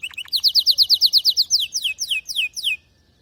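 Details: Canary song: a loud, rhythmic tour of sweeping downslurred notes repeated several times a second, gradually slowing and spacing out before the bird falls silent.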